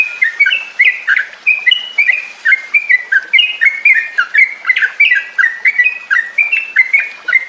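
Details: Yellow-vented bulbul chatter used as a lure sound to get captive bulbuls singing and chattering again: a fast, bubbly run of short liquid notes, rising and falling in quick bursts several times a second, possibly from more than one bird.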